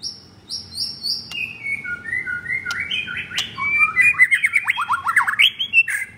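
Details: Pied fourth-generation White-rumped shama kept caged in Jakarta, recorded on a Saturday morning. Spaced high whistled notes give way to lower fluty phrases, then a quick, loud sequence of sharp, rhythmically repeated notes at about three per second.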